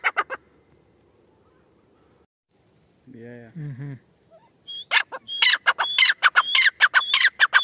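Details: Female grey francolin, or teetar. A brief burst opens, then a short low murmur, then a run of loud, harsh, repeated notes in quick steady rhythm.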